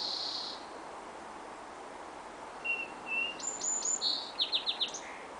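A small bird sings a quick, high phrase of short whistles and sharp downward chirps, about four per second, over a soft hiss of background noise.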